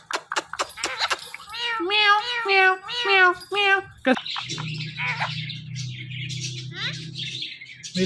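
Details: An Indian ringneck parrot talks, calling "Mithu". A quick burst of clicks is followed by several short, harmonic, speech-like syllables. Harsh scratchy squawks and a low hum come after.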